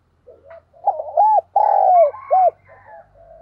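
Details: Decoy spotted dove singing the 'giọng thổ' song to make doves coo: soft lead-in notes, a double arched coo, a long falling coo and a final arched note, with a faint low hum beneath.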